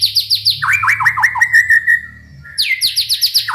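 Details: White-rumped shama song used to make other shamas sing: fast high chirps, then a descending series of notes sliding into a long steady whistle, and the high chirps return.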